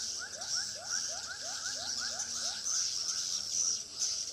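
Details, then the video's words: Swiftlet lure calls from a bird house in Pekanbaru: a brisk series of rising chirps, about two and a half per second, with continuous high-pitched twittering behind them. "suara asli walet"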